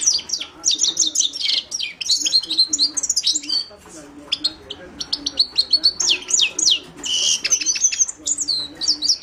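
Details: Himalayan goldfinch, Carduelis caniceps, singing a long, lively stream of high twitters, buzzy chips and short whistles with only brief breaks, over a soft low background drone.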